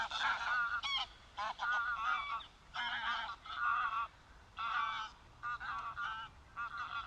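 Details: Greylag goose in the wild giving clear, separated nasal honks, short bursts of two or three notes with brief quiet gaps between them.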